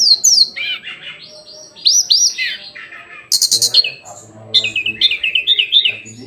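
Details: Daily song of a hill blue flycatcher, with sweet, slurred whistles sliding down in pitch, a burst of sharp high chirps, then a quick series of repeated wavering notes over a faint low hum.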